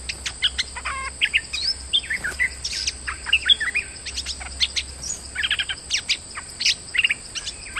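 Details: Lure-sound bulbul, a moulting bird chattering steadily: a long run of crisp chips, short whistles and trilled buzzy bits, delivered in quick irregular bursts, with a faint persistent high tone behind.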